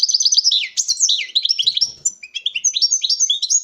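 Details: Male European goldfinch in a breeding setup, singing excitedly before a female: a rapid, continuous run of bright twittering and tinkling notes, with quick slurred whistles, buzzy trills and short chips packed densely together without pause, heard clearly in a quiet room.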